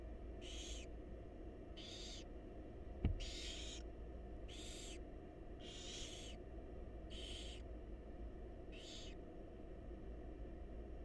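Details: Wild barn owl nestlings beg for food from their mother inside a monitored nest box: seven rasping, hissed screeches repeated about every 1.2 seconds, a single sharp knock early on, low steady hum throughout.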